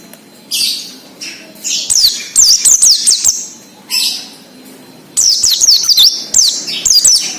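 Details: Several Oriental white-eyes in 'ngalas' wild-style song for prompting untrained birds: soft slurred chirps, then loud runs of high, rapidly zigzagging whistles, the last run long and continuous.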